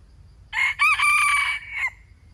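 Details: A single red junglefowl (wild chicken) crow, about 1.4 seconds: a hoarse, strained phrase that breaks briefly, then holds a level note before ending abruptly, in a quiet background.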